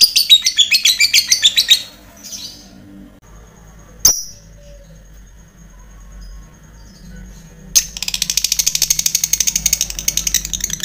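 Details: Lovebird used as a training model to provoke rival fighter lovebirds into long chattering: a fast, high buzzy trill of rapid pulses for two seconds, a quiet gap with one sharp shriek, then the rapid trill resumes.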